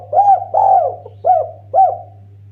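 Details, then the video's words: Eurasian collared dove, a strong singer used to lure other birds, giving four soft low coos, the second longer and slurred downward, spaced about half a second apart over a faint steady hum. "BURUNG DERKUKU TEKUKUR MASTER GACOR-Pancingan terAmpuh paling juara merdunya.."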